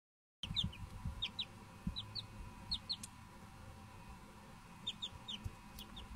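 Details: Young Silkie chicks giving thin, high, downslurred peeps, often in quick pairs, repeated irregularly through the clip over a low background rumble.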